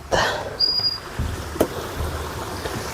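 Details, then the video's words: A ground-dwelling forktail, locally called cincong, gives a single thin, high whistle lasting under half a second, beside a forest river in West Java at a campsite, over steady rushing water and a few knocks from people nearby. "Yang terdengar suara burung cantik itu dari"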